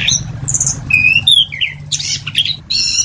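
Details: Orange-headed thrush singing a few separate phrases: a high buzzy note, clear mid-pitched whistles, a harsh burst, then a short stacked whistle, with a faint low hum underneath.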